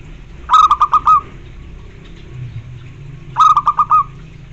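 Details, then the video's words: Zebra dove song: two phrases about three seconds apart, each four or five quick, bubbling coos followed by a slightly longer closing note, with a faint low hum behind. "Suara bikin nyaut semua jenis perkutut"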